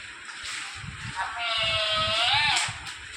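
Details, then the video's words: A parrot talking: one drawn-out, richly harmonic, voice-like utterance lasting about a second and a half, holding steady then dipping slightly before ending, over a constant high hiss and soft low thumps. "parrot talking amazing"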